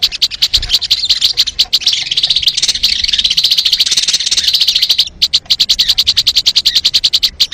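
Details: Crimson sunbird played to lure birds: a rapid, dense run of high, thin twittering chips, about three notes a second, forming a continuous buzzy chatter with brief pauses near the end.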